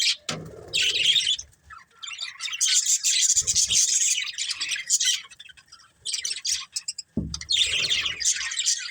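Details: Budgerigars chatter in fast, high, buzzy warbling phrases with brief gaps, accompanied by occasional low thuds and rustling.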